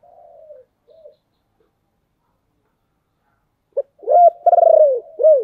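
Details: Spotted dove used as a decoy, singing a lure song to call wild doves. Two soft low coos open, followed by silence, then a loud quick phrase of hollow coos with a long buzzing middle note.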